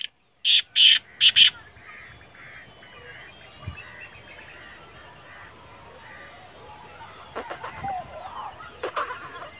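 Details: Black francolin giving four loud, grating notes in quick succession, followed by softer chirps and distant calls from other birds, with occasional clicks and a faint background hiss.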